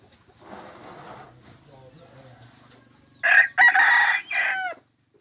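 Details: Big red junglefowl decoy rooster recorded 27 October 2020: low murmuring and faint voices, then a sudden loud, hoarse crow split into three harsh segments before silence.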